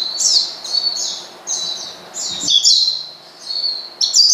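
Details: Oriental white-eye calling to provoke a rival: high thin chirped notes with descending slurs, given in short bursts about every half second, with brief pauses between phrases.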